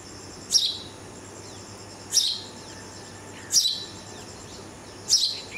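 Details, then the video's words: Red-vented bulbul fledgling, rescued after a cat attacked its nest and moved to a first floor, calling while its parents visit to feed it; sharp high chirps repeated about every one and a half seconds over a steady low hum. "Red Vented Bulbul feeding its fledgling"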